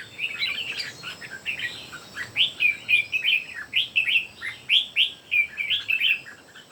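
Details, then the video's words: Three red-whiskered bulbuls in a singing contest, trading lively whistled phrases of rapid slurred notes, each burst roughly half a second, repeated steadily with overlapping chatter between singers. "3 CHÚ CHIM CHÀO MÀO CỦA A TỦA HÓT ĐẤU QUÁ ĐẲNG CẤP."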